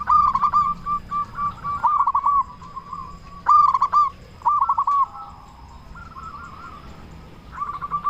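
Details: A loud local zebra dove sings as a lure meant to make other doves respond at once. Rippling, stuttering coo phrases come in bursts about every second or two, with softer trailing coos fading out between them.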